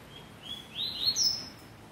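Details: Double-collared seedeater song phrase: a quick series of high, sweet whistled notes climbing steadily in pitch and ending in a bright, slightly buzzy flourish, over a quiet background.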